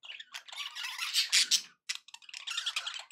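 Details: Happy budgies chattering indoors, a dense scratchy warble with squeaky chirps, one short gap, then more busy chatter.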